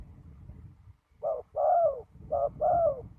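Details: Spotted dove used as a ground decoy for trapping on a very windy day. After a low rumbling stretch and a brief pause, two paired coos sound: a short clipped note followed by a longer, falling purr, repeated once.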